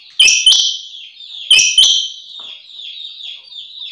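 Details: Female rain quail (Coturnix coromandelica) call, used to lure males into nets: paired sharp, high, piping notes, two quick pairs about a second apart, followed by fainter trailing notes.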